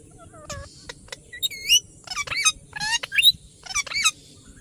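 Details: Ringneck parrot chattering with varied, bending whistled notes and short squawks, irregular and conversational rather than loud screeching.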